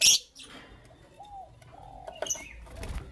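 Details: Morning chirping from creamino and lutino opaline lovebirds: one loud, harsh, high chirp opens, followed by softer scattered chirps later in the clip.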